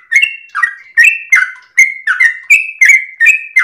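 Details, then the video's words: At daybreak a domestic yellow-vented bulbul sings a long rolling phrase used for bird training: loud, slurred whistled chirps in quick succession, each dipping in pitch. "trucukan gacor ropel panjang subuh pagi hari"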